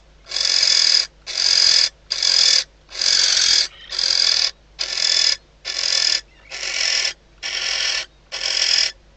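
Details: Barn owl, female, in a nest box at Riet Vell Natural Reserve, Ebro Delta. At night, days before the first egg hatches, she calls to her mate before they pair. Ten steady, noisy hisses, each under a second, pulse at a regular pace.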